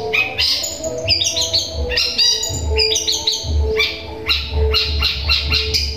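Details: Long-tailed shrike singing sparrow-like phrases, a song used to provoke other shrikes. Dense, rapid high chirps and short falling notes tumble together over a steady low hum.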